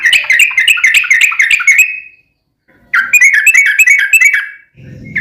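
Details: Rapid bubbling 'ropel panjang' song of a yellow-vented bulbul, played as a lure to provoke other birds into replying: two long runs of quick warbling notes, a brief low thud at the end.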